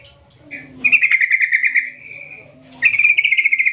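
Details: Yellow-vented bulbul giving a long, lively 'ngerol ngetir' rolling call, a recording used to lure other bulbuls into singing. After a short opening note it produces a fast rattling trill of bright notes lasting about a second, then a second trill begins.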